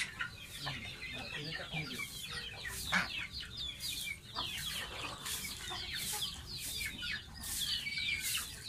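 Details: Bathing baby domestic goose kept as a pet, calling in rapid, thin, slurred chirps almost without pause, backed by continual splashes and a low water rumble.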